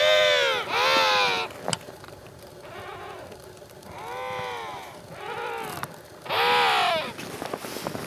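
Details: Adult emperor penguins give deep, trumpet-like calls meant to carry over a noisy, crowded Antarctic colony: loud harmonic, arching blasts come in three main bursts, with quieter rasping calls between them.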